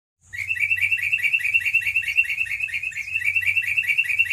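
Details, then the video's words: Sooty-headed bulbul in long continuous song, used as a lure to get other bulbuls singing: a loud, fast, unbroken chatter of bubbling whistled notes running steadily throughout, with a faint low hum beneath. "TRUCUKAN GACOR, ROPEL PANJANG INI AMPUH JADIKAN PANCINGAN AGAR BURUNG TRUCUK GACOR"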